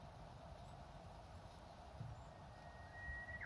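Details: Japanese bush warbler singing in spring at Matsumushi-ji, an old temple in Inzai, Japan, among blooming cherry trees: a long steady whistled note held nearly two seconds, ending in a sudden burst as the clip cuts off, over low rumbling background.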